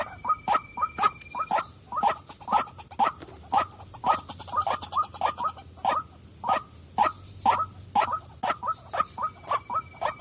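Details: Calling female white-breasted waterhen, giving a long series of hoarse, croaking notes about twice a second, some doubled, over a constant high-pitched hiss.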